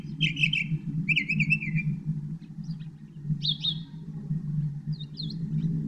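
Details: Northern mockingbird singing short trilled, slurred phrases around mid-high pitch, each a second or less, with brief gaps, over a loud, steady low rumble.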